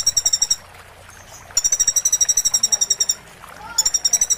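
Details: Van Hasselt's sunbird (konin), a master recording with roll and 'tembak' song material for training. Bursts of very fast, evenly pulsed high trills, each about a second long, separated by short quiet gaps with faint background sound.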